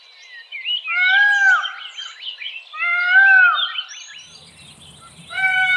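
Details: Male Indian peafowl calling: loud drawn-out arched wails overlaid by a busy jumble of other bird chirps and squeaks, with one clean cry returning at the end.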